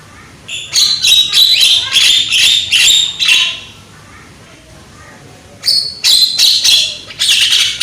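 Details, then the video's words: Loud young Javan myna, recorded as a lure to make other mynas sing, delivers rapid strings of raspy, squeaky chatter, pauses for about two seconds, then resumes with sharp whistles and grating notes. "JALAK KEBO MUDA SUARA KERAS"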